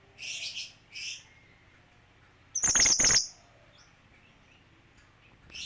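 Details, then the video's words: Male kinoi: two short high chirpy phrases, then a loud, fast, rattling high trill of about half a second, followed by quiet background with a low hum and a final faint high note. "Suara kinoi jantan"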